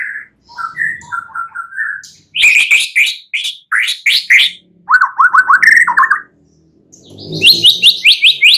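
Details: White-rumped shama singing at night, used to prompt other birds into song: short whistled phrases, then bursts of loud ringing rapid notes separated by brief gaps.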